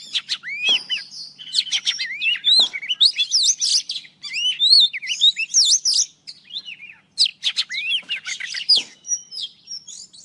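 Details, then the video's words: An old wild Oriental magpie-robin in full morning song, recorded as trapping lure sound. Melodious whistles, upward sweeps and scratchy rattles come in phrases of one to two seconds, separated by brief silences. "Tiếng chòe than già rừng hót buổi sáng cực hay"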